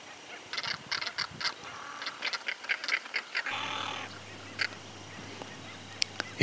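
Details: An owl in rural groves of Santa Fe, Argentina, in 2023, a species with several alert calls and a hiss-like call, gives a quick run of harsh, rasping notes, then a long breathy hiss, over a low steady hum.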